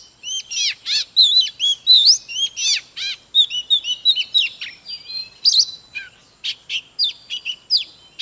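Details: Oriental magpie-robin giving an intense, fiery song during a singing-and-dancing display. Quick bursts of bright, rising and falling whistles come in a near-continuous rush, with some buzzy notes mixed in.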